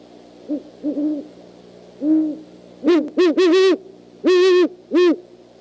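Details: Nighttime exchange between great horned owls at an eagle nest in Decorah, January 2015: a few quiet deep hoots give way to loud, rough, strained calls in quick clusters, some doubled and drawn out.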